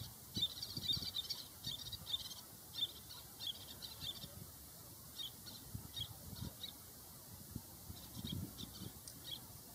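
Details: Little terns at the Nagara River, during courtship feeding, give sharp, high, chattering kik and kirrik notes in quick bursts every second or so, over a low rumble of wind.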